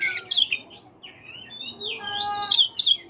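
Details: Oriental magpie-robin singing in the morning, played to prompt caged birds to sing: loud harsh bursts at the start and end frame softer, sliding whistled phrases and a steady thin tone in the middle.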